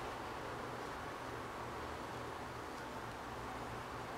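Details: Constant hiss-like rushing noise with a low hum, like wind or distant traffic, and no animal sounds.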